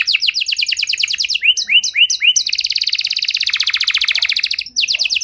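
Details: Canary with a long, varied song used to prompt silent canaries to sing again: fast repeated downslurred notes, then rising chirps, a dense rapid trill, and a final burst of sharp notes.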